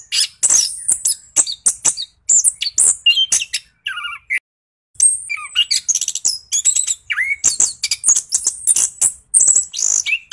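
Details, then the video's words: Lure song of an orange-headed thrush meant to spur reluctant birds to sing; fast bursts of high chirps and slurred whistles, a lower rising whistle near the middle, then a short silence before the torrent resumes. "PANCINGAN SUARA ANIS KEMBANG GACOR NGEROLL , JITU RANSANG ANIS KEMBANG MALAS BUNYI LANGSUNG NYAUT"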